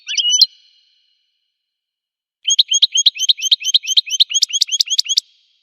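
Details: Song of a wild American goldfinch: one slurred high note, a pause of two seconds, then a fast run of about fifteen sharp chirps that grow louder and quicker toward the end.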